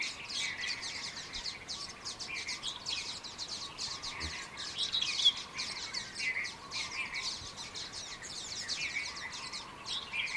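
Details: Small group of escaped Common waxbills in Kaohsiung, Taiwan, January 2018. Dense, nonstop high-pitched twittering and chipping from several birds at once, with steady faint background noise.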